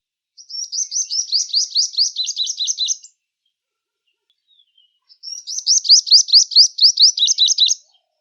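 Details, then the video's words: A Purple Sunbird sings two bursts of rapid, high, thin twittering notes, each about two and a half seconds long, separated by a short pause. "Let’s hear our Purple Sunbird sing."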